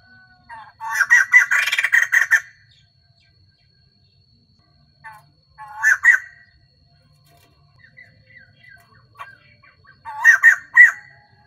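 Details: Female white-crested laughingthrush kept as a lure bird to provoke males, singing all day; three loud bursts of harsh, cackling chatter with buzzy notes, separated by quiet gaps and soft twittering.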